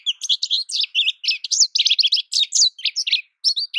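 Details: American goldfinch song: rapid, varied high chirps and buzzy warbles strung together almost without gaps, a short break before a final few notes.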